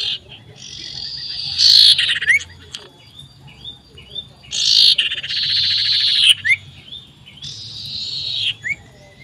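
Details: Common iora, loud and persistent, seeking a rival, 27 December 2022: three long harsh buzzy rasps, each followed by short clear whistled notes, in a lively phrase.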